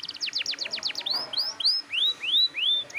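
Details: Canary singing loudly and persistently, used to provoke young untrained canaries into singing: a fast series of descending whistled notes, then several loud rising upslurred whistles, about four in a second and a half, on a quiet background.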